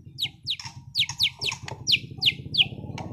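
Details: White-rumped shama, a caged contest-grade bird from Sragen, repeats sharp high descending whistled notes about three times a second, with faint lower notes between them and a low droning hum behind.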